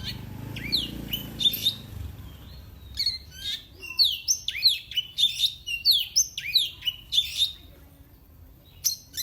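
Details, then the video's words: Kept oriental magpie-robin whose song provokes rival birds: rapid, varied whistled and chattering phrases with sharp upslurred and downslurred notes, delivered in quick bursts after an opening pause, about ninety notes a minute. "Kicauannya bikin musuh makin Emosi."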